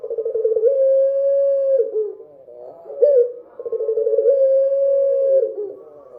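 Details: Night singing of a dove: two matching phrases, each a fluttering start that smooths into a long, held coo ending in a downward wobble, separated by a short, rising, throaty note.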